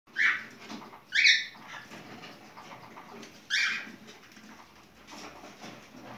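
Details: Cockatiel giving a mating song: three loud harmonic chirps about a second apart early on, then a pause and another matching chirp, over faint room noise.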